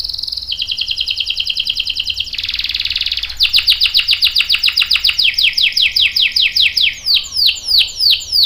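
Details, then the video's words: Prolific canary singing a lure song with long rolls: a pulsing trill, a dense buzzy roll, then a long series of descending chirps that end in sharp sweeping notes. "PANCINGAN KENARI GACOR CUIT CUIT bikin NYAUT ikutan BUNYI Ngerol panjang | CANARY SINGING"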